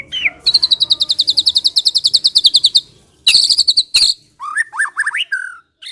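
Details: White-rumped shama song used as a lure to draw other shamas, "Medan" type: a fast run of about twenty-five bright, high chips, then sharp bursts and rich rising whistled phrases.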